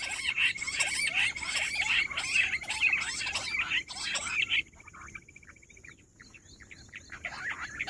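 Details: Rock bush quail calling nonstop on 18 July. Crowded, overlapping squeaky chirps are joined by a fast buzzy trill. Midway the chorus suddenly drops, leaving a thinner, quieter scatter of chirps and a faint trill.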